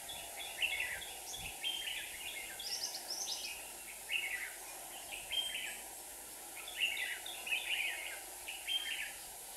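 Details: Two caged decoy red-whiskered bulbuls near a trap for a wild bird in Hòa Bình, Vietnam, giving a rapid run of chattering, whistled phrases with several overlapping voices; people speak quietly nearby.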